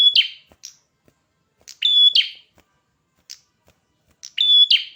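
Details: Prinia singing vigorously, three high phrases mixing buzzy rasps and a short pure whistle, with a few soft chips between; no background noise.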